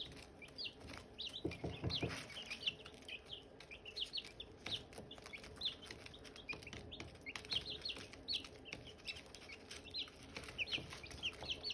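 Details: A brood of Silkie chicks with hatching eggs chirps busily, giving many high, slurred peeps in quick overlapping runs with soft knocks and rustling mixed in.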